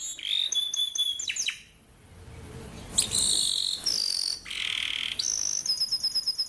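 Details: Canary training song for young canaries: a short burst of trilled sweeps, a pause with faint low noise, then separate high buzzy phrases and a quick high trill at the end.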